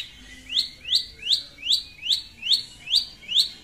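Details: Long-tailed shrike in full, lively voice, calling a rival as a lure sound: sharp upswept chirps, about eight in under four seconds, rising steeply at a steady pace over faint background hiss.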